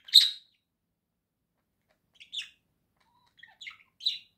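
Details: Pet budgie with a few isolated chirps: one sharp loud squeak, a long silence, then three softer chirping notes close together.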